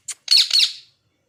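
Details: Angry pet parrot indoors giving a short, sharp squeak followed by a loud, grating, raspy squawk in two pulses, lasting under a second.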